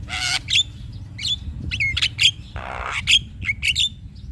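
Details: Male Javan myna singing to agitate a lazy bird: an opening harsh screech, then short squeaky whistles and clicks, and a rasping noisy burst midway, with low rumbling background.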